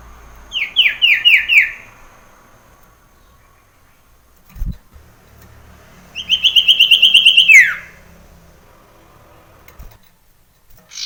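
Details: Common iora in the wild, male, sound for encouraging other ioras to sing: a run of five descending whistled notes, then a fast even trill of about ten notes ending in a downward slur.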